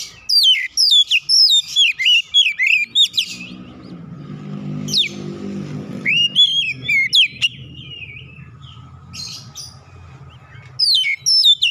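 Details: Oriental magpie-robin provoked into an aggressive challenge, singing and showing off its learned repertoire: rapid sweeping whistles and sharp downslurred notes in dense bursts, then a pause with a low engine rumble from passing traffic before the song resumes.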